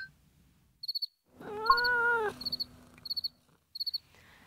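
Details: A kea, a New Zealand alpine parrot, gives its play warble during play, a call said to encourage others to join in: a single rich, wavering warble under a second, rising and gently bending, while crickets chirp in short repeated bursts.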